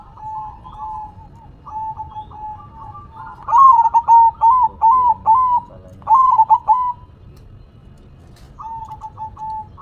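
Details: Zebra dove (perkutut) song, manggung style: quiet background cooing from other doves, then a loud sequence of about seven bubbling staccato coos in the middle, followed by faint cooing again.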